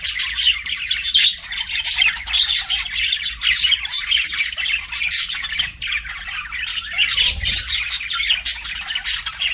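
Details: Chattering pet budgies fill the air with rapid, overlapping squawks and clipped chirps, a nonstop scratchy high babble with brief louder spikes throughout.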